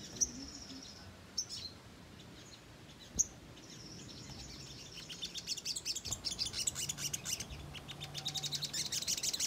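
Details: ['Ruby-cheeked sunbird lure recording of rapid, nonstop chattering song used to provoke other sunbirds into responding. Sparse high thin chirps at first, then a fast run of sharp, high twittering notes builds and continues over faint background hiss.']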